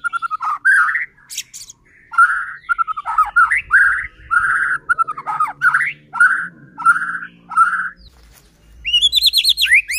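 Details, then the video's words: White-rumped shama lure song meant to make other shamas sing: varied whistled and slurred phrases, some buzzy, ending in a quick high trill. "Murai batu gacor AMPUH buat PANCINGAN murai batu agar bunyi JADIKAN burung murai EMOSI"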